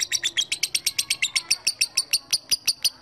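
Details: Lovebird calling to draw a rival into answering, a long run of rapid, shrill chattering notes, evenly repeated about six times per second, high and clear against a quiet background.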